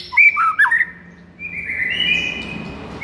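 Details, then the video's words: White-rumped shama, a masteran recording for luring or provoking a sluggish bird: brief rich whistled phrases with quick slurred notes in the first second, then long steady whistled tones. "MASTERAN EFEKTIF untuk Pikat Murai LOYO seketika langsung NGAMUK"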